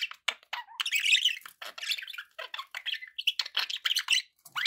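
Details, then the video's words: Several pet budgies in steady, dense chatter: scratchy squawks, quick chirps and warbling notes running almost without pause. "1 hour of budgie sounds"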